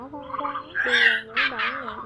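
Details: Great egret (black-billed) call, used as a lure for night net trapping, giving harsh, gargling croaks over a low droning tone, two rough bursts in about two seconds.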